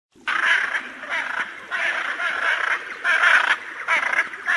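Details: Hyacinth macaw giving a run of loud, harsh, grating squawks, nearly continuous over four seconds with short dips between bursts, rough and broadband with no clear melody.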